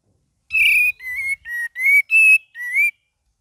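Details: Cream-vented bulbul giving a lively gacor song: six ringing whistled notes in quick succession, alternating lower dipping and higher level tones, rich in overtones, with faint low rumble underneath.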